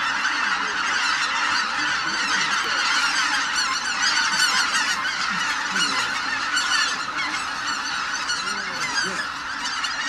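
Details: A large flock of greater white-fronted geese departing the roost, their yelping, honking calls overlapping into a constant clamour. Some individual cackles stand out briefly above the massed chorus.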